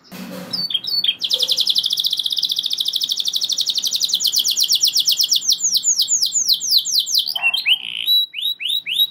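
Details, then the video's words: Canary singing an extended roll that provokes other canaries to sing along: brief opening notes, then a long, very fast even trill of high notes lasting several seconds, shifting into slower looping swoops at the close. "Kenari Gacor Ngeroll Joss! Bikin Emosi Kenari Lain Langsung Terpancing Ikut Gacor Nembak Panjang"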